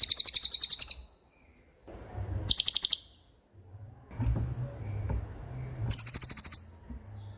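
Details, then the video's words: Common iora singing its 'roll speed' style in three short bursts of rapid, high, buzzy trilled notes, each under a second, separated by gaps with low rumbling background noise. "Suara Cililin Gacor Roll speed"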